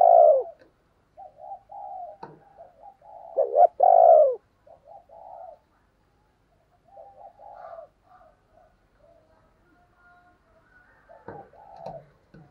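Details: Spotted dove used as a decoy for provoking others to coo: one loud coo at the start and another pair of strong, falling coos a few seconds later, separated and followed by softer, scattered coo notes.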